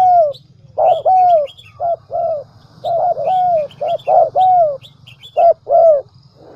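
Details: Lure dove recording used to make doves coo: dense run of paired coos, short note followed by a drawn-out falling one, repeating quickly with little pause, light bird chirps and a steady low hum behind.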